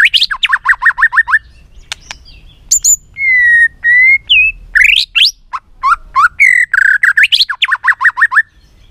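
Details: White-rumped shama, many-voiced song used to stir and train birds: fast runs of short repeated notes, long level whistles, sweeping upslurs and buzzy bursts, followed by another rapid series of clipped notes.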